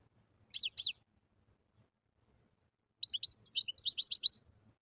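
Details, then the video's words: Wild European goldfinch song: two quick high notes, a pause of about two seconds, then a lively run of rapid, liquid twittering notes. "تغريد الحسون البري"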